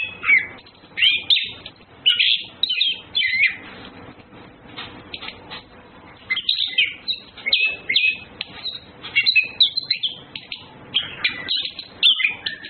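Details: Orange-headed thrushes, males and females courting: bursts of loud scratchy warbling, a quieter stretch in the middle, then renewed rapid chirping phrases.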